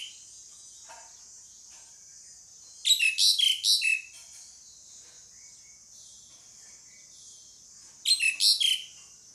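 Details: Pied myna giving two short bursts of three to four loud, rasping, chattering notes about five seconds apart, over a steady high hiss.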